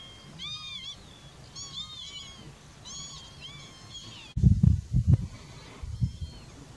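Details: Eurasian curlew in Warmia near Sułowo, recorded on 15 July 2021: a series of four clear whistled calls, each a short curved note, followed by low rumbling thumps of wind or handling noise.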